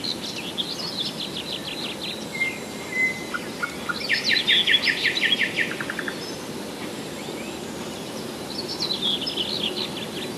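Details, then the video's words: Nightingale singing near Moscow at Rassudovo, July 2011: a quick series of repeated notes, a flat whistle, then a loud rapid rattling trill of identical pulses, later faint distant phrases over steady hiss. "Соловьиная песня / Nightingale song"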